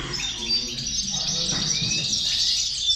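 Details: Chorus of European goldfinches, used as a motivator for goldfinches: rapid liquid twitters and trills packed together at a high pitch, steady in loudness, with some rising sliding notes midway.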